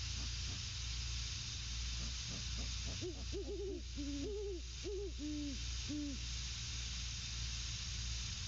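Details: Great horned owl pair at their nest, male hooting to his mate; a series of low, arched hoots clustered between three and six seconds, some overlapping as if two birds answer each other, over steady low-pitched hum and hiss.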